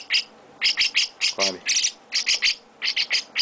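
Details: Young chestnut-cheeked starlings being hand-fed by their owner give harsh, buzzy chirps in quick pairs and triplets, bursts repeating every few tenths of a second, with a brief low murmur of Portuguese speech midway.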